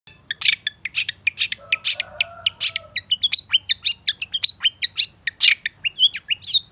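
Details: Long-tailed shrike training song used as a lure: a dense run of harsh, buzzy chattering notes, some short rising whistles, and brief lower warbled phrases near two seconds. Notes come several per second over a faint low hum.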